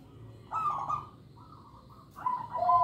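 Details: Local zebra dove singing to lure young birds. A fast, buzzy, trilled burst leads into a fainter level tone, then clear, steady cooing notes at the end.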